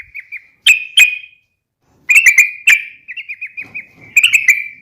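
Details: Yellow-vented bulbul uplik tarung fighting call, aimed at provoking rival bulbuls: scattered sharp, clipped chips and short clusters of notes, mixed with softer, slurred whistled notes.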